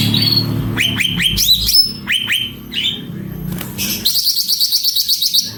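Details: Cucak ranting singing energetically: a run of sharp rising whistled notes, each swooping upward, followed by a fast pulsed buzzy trill of about a dozen beats; low background hum.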